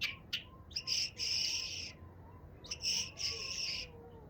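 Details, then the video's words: A chukar partridge gives two harsh, raspy phrases, each opening with a few short clipped notes and then swelling into a grating chatter about a second long. "هیچ جل به اندازه این جل مقبول نمیخواند"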